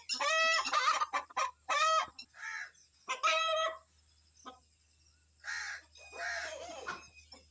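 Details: Rooster leading his family out to forage in the morning, alarmed by kites overhead and warning them to hide; a few loud harmonic squawks and clucks, then softer hoarse calls.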